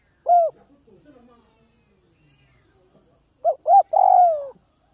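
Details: Northwest Vietnam spotted dove, a bird being tamed, gives one falling coo, then quiet low murmuring, then a phrase of two short notes and a long gliding croo.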